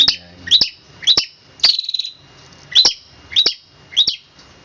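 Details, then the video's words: Harsh, high two-part chirps from a long-tailed shrike, repeated about every half second and broken by a short buzzy rattle, in a fast "roll speed rapat" delivery. "cendet roll speed rapat om kicau"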